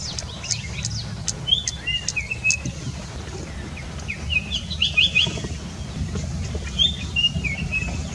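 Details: White-browed fantail perched on a branch guarding its nest; short high whistled notes and brief trills around 1.5-2.5, 4.5-5.2 and 6.8-7.5 seconds, over steady low background rumble.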